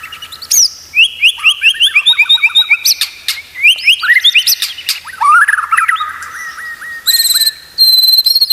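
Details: White-rumped shama master song for training: rapid rolling trills and chattering phrases, looping whistled notes and buzzy bursts, with loud high whistled tones near the end.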